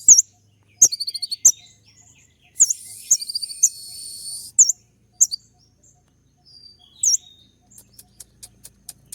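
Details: Sunbird song played in the morning to draw a reply: short bursts of high clipped notes, a buzzy rasping phrase, then isolated sharp whistles and faint ticks.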